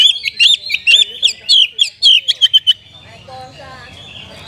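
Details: Oriental magpie-robin delivering kapas tembak-style song: about two and a half seconds of crisp, repeated whistled phrases at roughly two per second, then quieter softer warbling with a low background hum.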